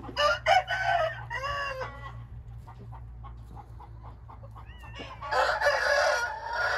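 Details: Hint rooster sounds: a series of harmonic, arched calls in the opening two seconds, then quieter clicks, and a loud, rough, broadband crow filling the final stretch, over a constant low electrical hum.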